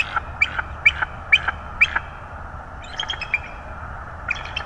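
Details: Bald eagle at a nest in northeast Florida on 25 January 2022, where a second chick has just hatched beside an older one: a run of short, sharp piping notes about every half second, then softer, looser bursts of chatter.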